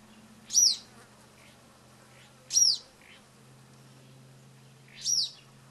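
Social flycatcher giving three sharp, high, quickly falling calls, spaced about two to two and a half seconds apart, over a low steady mechanical hum.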